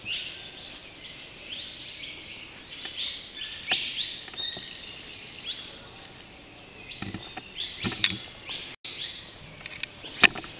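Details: Many cave swallows (Petrochelidon fulva), summer nesters on the cave walls at the natural entrance of Carlsbad Caverns, twitter together in a busy, high, chattering chorus of squeaky notes, echoing in the cave over a few sharp clicks.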